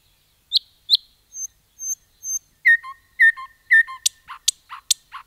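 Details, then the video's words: Common nightingale in a forest. Two emphatic notes are followed by soft pure whistles, then a repeated slurred phrase with lower echoing notes, ending in sharp, clicking high notes. Surroundings are quiet. "Nightingale song"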